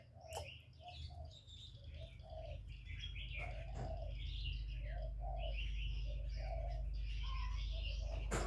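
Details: Decoy spotted dove cooing in a contest with a wild bird: soft low coos repeated in short phrases about twice a second, under busy high chirping and twittering from many small birds.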